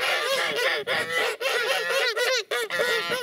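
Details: Geese loudly chattering as an aggressive threat display toward intruders: a steady jumble of overlapping honks and cackles with barely any pause.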